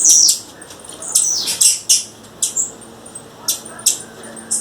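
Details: Wild female blue-black grassquit calling, giving rapid clusters of high, sharp chips and brief twittering notes. The notes come in irregular bursts separated by short pauses.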